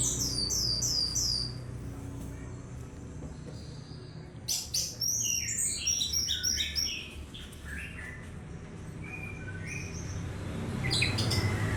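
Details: Orange-headed thrush, a champion bird singing in the stuttering 'teler' style: varied high, rapid chirping phrases in bursts, with sharp clustered notes near the start and end over a low background hum.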